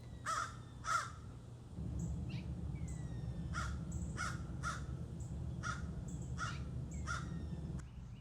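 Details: Four crows give harsh, hoarse caws in short repeated bursts in a backyard, raising the alarm after chasing a hawk away, while squirrels also sound the alarm.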